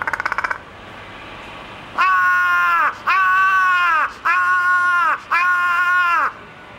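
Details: Large-billed crow in Ueno Zoological Gardens, Japan, vocalising in many voices: a brief rattling burst, then four long, drawn-out nasal caws, each nearly a second long with short gaps between.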